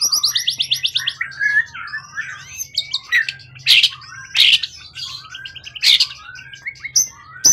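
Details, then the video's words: Wild-origin competition songbird with a tail over 20 cm, long kept in captivity, in peak singing form and calm: fast repeated high chirps open, then varied whistled slurs and sharp loud notes, with a low steady hum beneath. "Burung event ori hutan ekor 20cm up lg on banget prestasi burung hutan gk giras ya rawatan lama."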